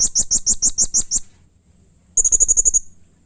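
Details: Harsh, agitated blue-crowned hanging parrot: eight loud, shrill high notes spaced evenly, a short gap, then a quicker run of about eight tighter, buzzier notes.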